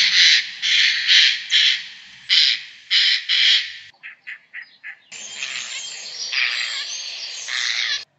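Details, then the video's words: Eurasian jay giving its familiar harsh, rasping screech in a run of about eight, then a burst of short clicks and a longer scratchy screech. "Jays have a range of calls. The most familiar is a harsh screech, but they're also capable of mimicking other species."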